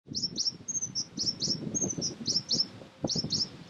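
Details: African blue tit of subspecies degener, recorded on Fuerteventura in the Canary Islands, Spain, in February: a series of short high, sharp notes, some slurred pairs, repeated about once a second over low rumbling background noise.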